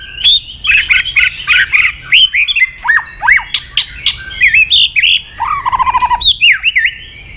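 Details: White-rumped shama in full, agitating song: dense, varied whistled phrases with quick slurs, swooping notes and a fast rattling trill near the end, loud throughout.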